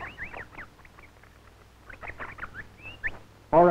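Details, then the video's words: Superb Lyrebird male in the southeastern Australian rainforest in courting season, mimicking parrots and kookaburras: a rapid run of clear, swooping whistles and chirps, rising and falling, ending as a man's voice starts speaking. "When you think you're hearing parrots or a kookaburra, you're probably listening to the lyrebird."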